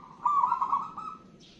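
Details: A single rolling, quavering coo phrase from an actively singing local zebra dove fades out after about a second. Steady low hiss lies behind it.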